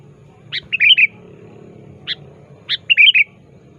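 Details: Sooty-headed bulbul calling actively at a rival, a lure recording: a sharp upswept note then a quick bubbly flourish, a lone upswept note, and the phrase repeated, over low background murmur.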